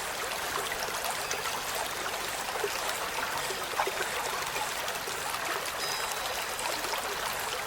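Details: Steady rushing and trickling water, like a stream, fills the whole stretch with no animal voice standing out.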